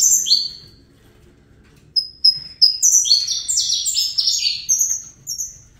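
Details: Young Saffron Finch hatched in captivity sings fibra style: an early chirp burst, a quiet pause, then accelerating high chirps in stepped, overlapping series for about three seconds.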